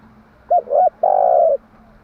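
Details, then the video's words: Spotted dove singing in the morning, used as a decoy to draw and train doves: two short clipped coos followed by one long, steady, low hooting coo, loud and clean against a quiet background. "Tiếng chim gáy bài bản gáy buổi sáng"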